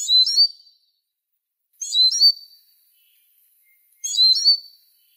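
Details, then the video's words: Eurasian siskin (Spinus spinus) singing: short bright twittering phrases high in pitch, each ending in a drawn-out thin whistle, repeated about every two seconds in three bursts with silence between. "EURASIAN SISKIN SONGS Spinus Spinus Singing"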